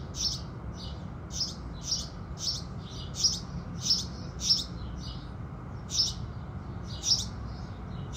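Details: Morning chorus of house sparrows at sunrise: a steady string of crisp high chirps about every half second, a short lull midway, then more cheeps over soft low background noise.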